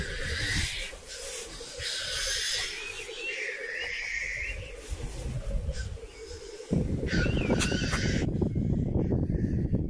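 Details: Black grouse at a lek, 2023: rhythmic bubbling coos and hissing sneezes for several seconds, then a sudden switch to loud rushing noise.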